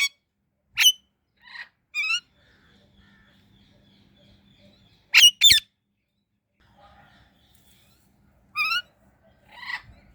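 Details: Indian ringneck parrot giving scattered short, shrill chirps and a quick double note, irregularly spaced across ten seconds with quiet gaps.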